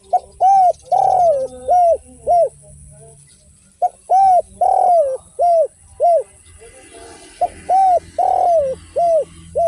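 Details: Spotted dove (derkuku) singing in the Indonesian style without kuk and with kuk 1: three phrases of about five mellow, arched coos, one drawn-out note mid-phrase, with short silences between phrases.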